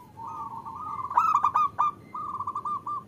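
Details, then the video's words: Zebra dove, the female's call to lure males into song: a soft rising beaded trill building to a louder clicking burst, then a second rapid rolling phrase. "Suara Perkutut Betina Memanggil Jantan"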